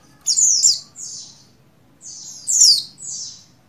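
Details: Two bursts of high, sharp, downslurred chirps from a breeding female buxtoni Oriental white-eye calling to a male. Each burst is a bright note followed by a softer one, about two seconds apart, against a quiet low hum.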